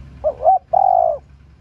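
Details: One close phrase from a female spotted dove meant to rouse male doves: two brief wavering notes, a short pause, then a long even hooting coo.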